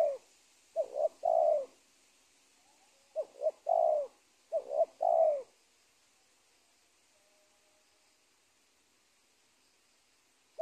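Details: A spotted dove at the edge of a teak plantation gives soft, low coos in short phrases of two or three notes, the last note drawn out; phrases come in a burst, then quiet.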